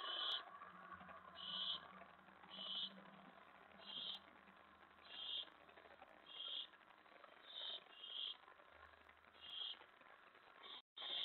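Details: Begging owl at the nest at night, May 15, 2017, during prey delivery: a steady series of short hissing screeches roughly every second, with a low hum running underneath.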